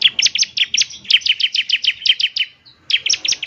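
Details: Lure song of a bar-winged prinia, played to prompt a kept bird to sing. Rapid, evenly spaced high chips run in a long series, break briefly, then resume at the same bright pitch.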